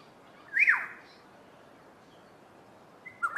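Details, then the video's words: Black-headed oriole, one of two birds singing a duet: a single liquid, fluting note slurs up and then drops steeply. After a long quiet pause, a short second phrase starts at the end, over faint background hiss. "Black headed Oriole duet"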